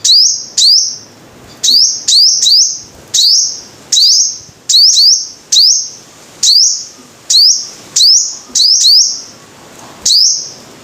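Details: High sunbird song, the bird named as the five-coloured sunbird, made of sharp up-slurred notes ending in a sustained shrill tone, singly or in quick pairs and triplets, steady for eleven seconds against near silence.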